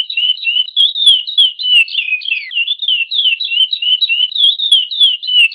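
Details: Chestnut-bellied seed finch, Praia song type, delivering an unbroken stream of rapid, liquid whistled phrases that wobble up and down at a steady pace, about three notes per second, on a clean background.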